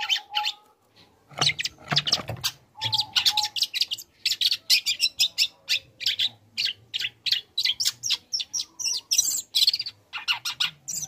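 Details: Young long-tailed shrike singing, a recording used to provoke other shrikes: a long, steady string of short, harsh, scratchy notes repeated about every quarter second, mixing chatter and squeaks, with a faint low hum behind.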